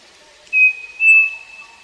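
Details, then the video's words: Striped cuckoo, the saci, singing on a farm, recorded live: two clear, pure whistled notes about half a second apart, the second slightly higher and longer, followed by faint lower whistles fading out. "Saci cantando na fazenda"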